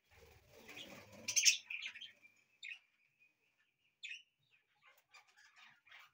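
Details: Pet budgies singing indoors in a house: soft scratchy warbling at first, then a sharp bright squawk, followed by scattered short chirps and a thin whistle separated by quiet gaps.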